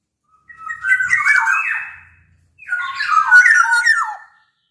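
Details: Black-naped oriole of the Sumbawa type, used as a lure for orioles reluctant to sing: two long phrases that blend flutey whistles with a grating, nasal quality, separated by a short gap.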